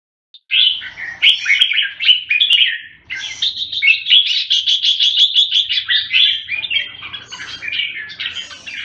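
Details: Red-whiskered bulbul singing a varied warble: slurred phrases first, then a rapid string of quick repeated notes, ending in jumbled bright chatter.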